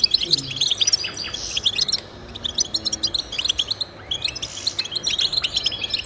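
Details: Goldfinch song offered as encouragement for pet birds: bursts of quick high twittering separated by two short quieter gaps, notes tinkling and slightly buzzy.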